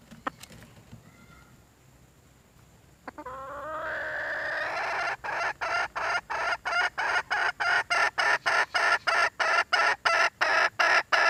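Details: Red junglefowl hen calling for a mate: a few faint clicks, then a rising squeal swelling into a loud harsh call that breaks into a long, regular series of nasal notes, about three each second.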